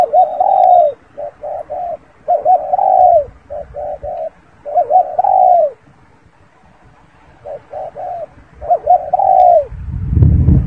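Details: Close spotted dove giving repeated coo phrases. Short paired hoots lead into long, drawn-out coos that fall in pitch, with short pauses between phrases. A low thump sounds at the end.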